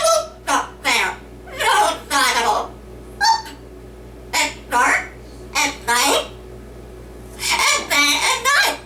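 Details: Male yellow-naped amazon parrot at home performing a skit of song and Dr. Seuss recitation; phrases of human-like spoken syllables with pauses between, closing in a louder wavering harmonic call, constant faint hum behind.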